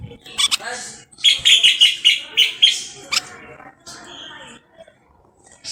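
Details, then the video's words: Moroccan common bulbul delivering a rapid series of six or seven ringing whistled notes at an even pitch, framed by scratchy chirps before and a quieter warble after. "استرخاء مع تغريد طائر البلبل المغربي صوت صفير البلابل"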